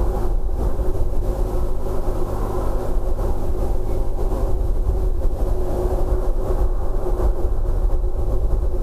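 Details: Heavy low rumbling like wind or passing traffic fills the recording throughout, with no animal calls audible.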